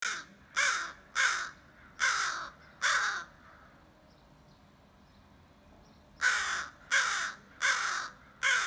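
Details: Crows calling to each other: a run of five harsh, loud caws about half a second apart, a quiet gap, then four more caws in the same rhythm.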